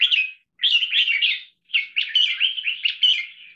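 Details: Red-whiskered bulbul trained for long hours of singing, delivering a double-note marathon style of six short songs run into one long song. Rich, bubbling warbled phrases flow almost continuously after a brief opening note.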